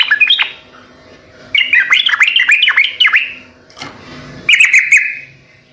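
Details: Sooty-headed bulbul singing gacor style, played to get other birds to reply: brief chattery phrases of quick, looping notes, then a pause with a faint rustle, and a final burst of bright warbling.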